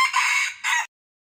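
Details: A newly acquired red junglefowl, kept as a decoy bird that has already lured four others, gives a short, harsh, clipped crow: a raspy first phrase, a brief pause, then a quick final burst that cuts off abruptly.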